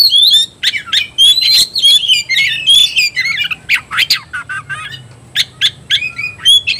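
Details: Fired-up Oriental magpie-robin (kacer) singing constantly before a fight: harsh squawking notes and high whistles delivered in rapid, uneven bursts of about three or four a second.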